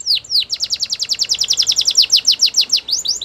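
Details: Canary training song, fast trill of downward-sweeping whistled notes, about three per second rising to rapid repeated syllables, high and clean with steady pulsing rhythm and quiet background.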